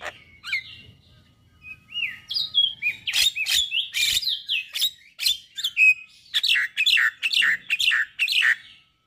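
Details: Male white-eyed Javan myna singing a song said to set other mynas singing at once. The song mixes clear rising and falling whistles, slurred notes and harsh chirps, delivered in quick bursts, at first sparse, then dense and continuous.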